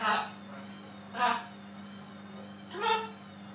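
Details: Macaw parrot kept as a pet, talking in three separate hoarse syllables about a second and a half apart, the last sliding upward, with a continuous electrical hum indoors.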